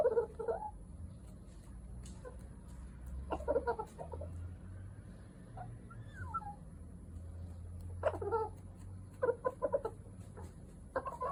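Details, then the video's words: A pet backyard bantam rooster making various sounds gives short bursts of clucks and murmured calls, with a soft rising note in the middle, over a low steady hum. "いろんな声を出すにわとり Rooster making various sounds"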